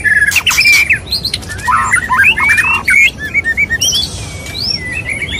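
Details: Courtship of a male white-rumped shama toward a female: loud clicks and sharp bursts, then long gliding whistles and short chirps repeated in quick succession.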